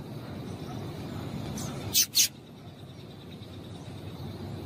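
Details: Female double-collared seedeater call for stimulating males: a close pair of bright, high chips in the middle, surrounded by low rumbling background noise.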